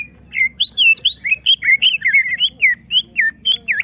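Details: Greater green leafbird, provoked so it unloads its full song, sings a loud continuous stream of liquid whistled notes, each looping up and down, some nasal, delivered almost without pause.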